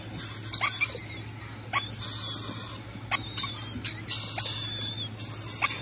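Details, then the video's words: Rainbow lorikeets calling in sharp, shrill screeches and chattering squeals, some brief and some drawn out, with irregular gaps and a constant low background hum. "Rainbow Lorikeet"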